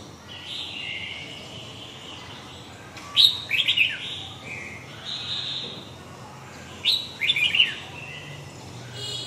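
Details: Red-whiskered bulbul performing huế gọng dài song: two loud, chattering whistled phrases about four seconds apart, with soft warbles in between.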